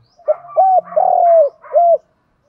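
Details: One close, loud phrase from a spotted dove used as a morning lure for males: a brief lead note, a rounded coo, a long level coo and a final coo, backed by faint chatter from other birds.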